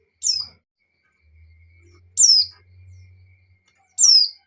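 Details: Female white-eye in breeding condition calling to a male, meant to rouse the male: three short, high, down-slurred chirps, each under half a second, spaced about two seconds apart, with a faint low hum between them.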